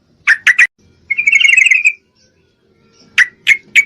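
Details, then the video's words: Breeding-condition female Yellow-vented Bulbul calling for a male: three sharp clipped notes, a one-second buzzy pulsed chatter, then three more sharp notes spaced evenly. "Trucuk Betina Memangil jantan, full Birahi"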